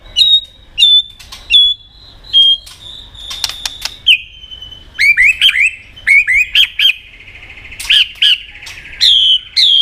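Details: White-rumped shama, caged and provoked to duel-singing: clear whistled notes repeated roughly every second, sharp clicks and wing or cage knocks, then fast varied rising phrases.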